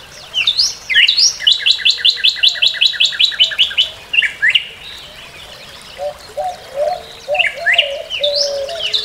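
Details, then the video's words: A Northern cardinal sings a fast run of bright, slurred whistled notes, a dozen or more in quick succession, with a soft low cooing heard underneath near the end. "Découvrir le chant et la beauté du Cardinal du Nord"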